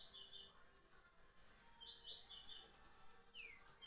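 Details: Rufous-bellied thrush giving a short burst of whistled song notes, a pause, then a bright high accent and a falling slurred whistle.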